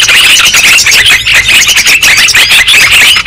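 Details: Sooty-headed bulbuls in a loud, boisterous chorus used as a trapping lure: many overlapping chirps and bubbling phrases forming an unbroken, restless wall of sound.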